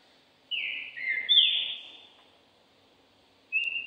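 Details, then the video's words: Competition Green-winged saltator in training for the season gives a single long whistled phrase of gliding, falling notes, then a short clear whistle begins after a pause. "Trinca ferro Thor se aprontando pra temporada"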